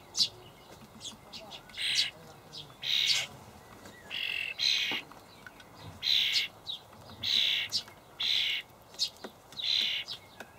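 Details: Juvenile starlings begging from adult birds carrying dried buffalo worms, Hamburg allotment, May 2012; repeated brief rasping screeches, roughly one per second, mixed with faint clicks.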